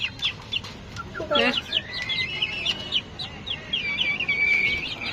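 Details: Hungry chickens kept on a balcony, their food run out and waiting to be fed, give a brief burst of throaty clucks, then a thin, high, drawn-out whine and scattered chirps, while a person speaks nearby.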